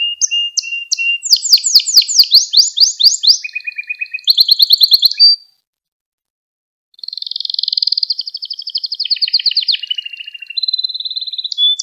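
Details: Song of a Gloster canary, meant to rouse other canaries and teach young ones: quick rattling trills and chirped phrases, a pause of about a second and a half, then a long rolling trill and a whistled ending.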